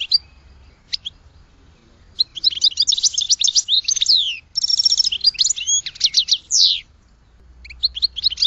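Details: Goldfinch delivering a long stretch of quick liquid twitters, buzzy trills and sliding whistled notes, preceded by a few isolated chirps and followed by a short final phrase.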